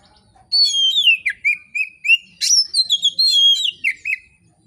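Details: Oriental magpie-robin in steady, relaxed full song, meant to spur other magpie-robins to sing: a rich run of sliding whistles, sharp high upsweeps and quick chirped notes, all in rapid succession.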